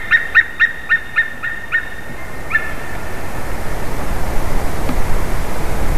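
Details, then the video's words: White-tailed eagle at a favourite tree during a changeover, 30 March 2019, 14:43: about eight sharp yelping notes in quick succession over two and a half seconds, then only steady rumbling noise. "Jūras ērglis Haliaeetus albicilla"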